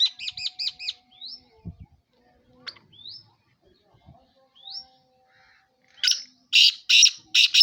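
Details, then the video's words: Black francolin calling in Sindh, Pakistan: a rapid series of harsh, rasping bursts near the end, after a run of hooked chirps and several thin rising whistles from another bird. "Kala Teeter sindh Pakistan"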